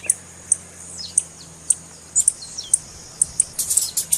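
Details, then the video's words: A female blue-black grassquit's stimulating call for males: isolated sharp, high ticks spaced about half a second apart, then a rapid flurry of chips and soft slurred notes toward the end. "Piado de fêmea de tiziu Para Esquentar Tiziu"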